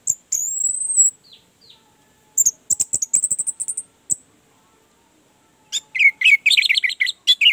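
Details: Orange-headed thrush song played as a lure to get a reluctant, silent bird singing. A long, high, steady whistle comes first, then a burst of rapid high chattering notes, and finally fast, varied twittering phrases.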